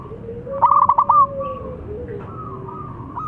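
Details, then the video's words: Local zebra dove (perkutut lokal) singing: a loud burst of rapid pulsed coos around 0.6–1.3 seconds, followed by a softer drawn-out cooing tone and low background hum. "Perkutut Lokal Gacor Suara Besar Penarik Bunyi"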